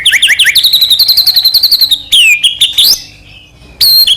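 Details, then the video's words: Persistently singing white-rumped shama, a lure to make other shamas sing and grow agitated: a fast series of high twittering notes, a few descending whistles, a silent gap, and one final sharp note. "murai batu gacor AMPUH buat PANCINGAN murai batu agar bunyi"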